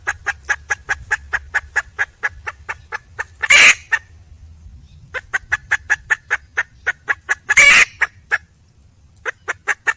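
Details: Red junglefowl hen seeking a mate: bursts of quick, sharp clucks repeated several per second, broken twice by a loud, rasping squawk, with a brief quiet gap between bouts.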